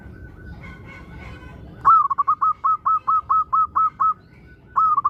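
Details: Local zebra dove in strong song, played to urge other doves to sing: after a faint steady tone, about ten soft cooing notes repeat at a steady pace, and a new phrase begins at the end.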